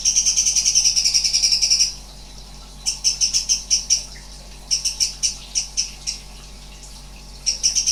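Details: Sooty-headed bulbul (cucak cungkok) giving strange sounds: a dense high buzzy rattle for about two seconds, then short bursts of harsh, rapidly repeated pulsed notes with brief pauses between them.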